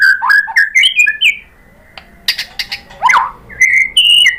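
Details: White-rumped shama singing nonstop as a lure for other shamas, with learned mimicry: fluty whistled phrases, a hush, then harsh clicking notes, a sharp upward sweep and more clear whistles.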